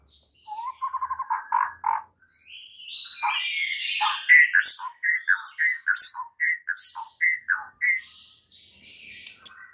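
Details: White-rumped shama in the morning, a training song meant to make other shamas sing; a varied run of whistled and chattering phrases, rapid repeated notes at first, then looping slurred whistles in quick succession.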